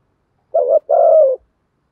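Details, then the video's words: A spotted dove kept as a decoy coos in the thúc gù style. A short hoarse note comes first, then a longer burred coo held level, in a quiet setting. "cu gay moi kích bổi, cu gay giong tho cuc dinh[cu gáy mồi thúc gù] chim cu gáy mồi đẹp thúc gù"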